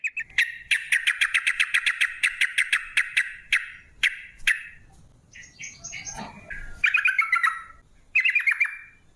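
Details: Lure recording of a sooty-headed bulbul in rapid 'ropel' song, meant to draw other bulbuls into singing: a fast run of sharp repeated chirps, a pause with a softer different sound, then two more short bright chattering bursts.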